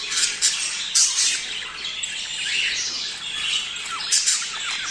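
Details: Budgerigars making mating sounds meant to prepare male and female for breeding: dense, continuous high warbling chatter with scratchy squawks and sharp chirps bursting through at about one and four seconds.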